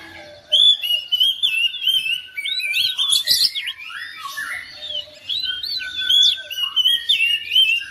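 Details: Oriental magpie-robin kept at home, triggered into song by another bird: dense mix of whistles, buzzy notes and chatter, with a second steady whistling voice running underneath.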